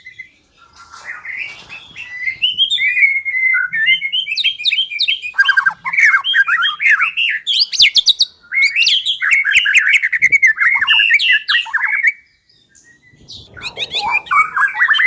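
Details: A white-rumped shama pours out lure song to make another bird sing: long stream of fast varied whistles, chattering trills and harsh notes, pausing briefly before resuming with rising whistles.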